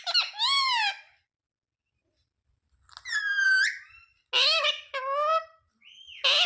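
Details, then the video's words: Rose-ringed parakeet imitating the words mummy, papa and mithu, giving separate bright phrases with a long silent pause in the middle and a sharp rising note at the end. "Ringneck parrot talking sound mummy, papa, mithu"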